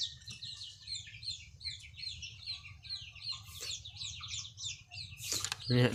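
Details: Caged white-clawed red-whiskered bulbul kept as a decoy bird, giving a quick run of short, bright chirping notes repeated several times a second, over a steady low rumble, with a sharp burst of noise near the end.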